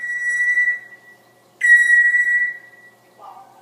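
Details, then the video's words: Pet parrot giving long, pure, steady whistles at one pitch, two drawn-out notes separated by a pause, followed by a short lower sound, indoors near a talking woman. "Delilah talking and making noises"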